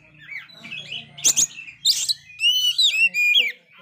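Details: Oriental magpie-robin singing energetically despite failed moult, used to rouse other magpie-robins that have lost spirit. Scratchy notes mixed with human voice and knocks, then a clear run of loud whistled phrases.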